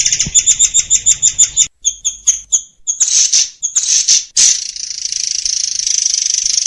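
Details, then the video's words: White-crowned forktail song, a full-length training recording for songbirds with dense rapid-fire phrases: a quick series of sharp paired high notes, then scattered bursts giving way to a steady hissing trill. "SUARA BURUNG MURAI AIR untuk masteran || FULL DURASI & TEMBAKAN RAPAT"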